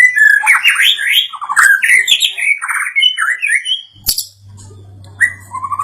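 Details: White-rumped shama, excited after hearing a played sound, gives rapid squeaky warbling phrases and harsh notes, then a sharp click and a few slurred whistles over a low hum.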